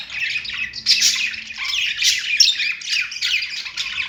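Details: Budgies on a perch produce a short, dense chatter of scratchy squawks and high chirps, several voices overlapping in quick bursts.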